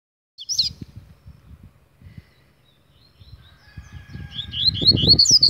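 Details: Agitated Double-collared Seedeater singing: after one isolated high note, a short burst of rapid, rising slurred whistles arrives near the end, over low thumping and rustling noise.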